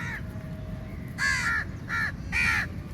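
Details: A large flock of crows at feeding time, mobbing the food and calling loudly; a faint caw, then three loud harsh caws in quick succession, with low background rumble.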